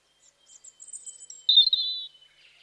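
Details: Bird chirping outdoors with thin, very high whistled notes building up, then a louder buzzy, slightly trilled chirp lasting about half a second before fading.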